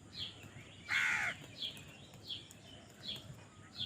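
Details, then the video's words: One harsh, raspy caw from a crow fighting for food stands out among faint, high chirps from other birds in the background. "কাকের ডাক Crow Sound Crow ki Awaz Loudly | Crow bird Fight for Food"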